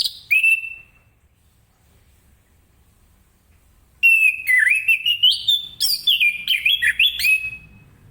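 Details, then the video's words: Morning ngeplong-style song of an orange-headed thrush, used to get other birds singing: one short whistled note, a long silence, then nearly four seconds of fast, warbling, up-and-down whistles rich in sharp chips. "Anis Kembang Ngeplong Gacor di pagi hari"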